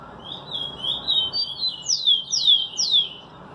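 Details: Rufous-collared sparrow singing clear, level whistled notes, then three sharp, high downslurred whistles in quick succession, over quiet hiss; an Ultramarine grosbeak is also present in the background.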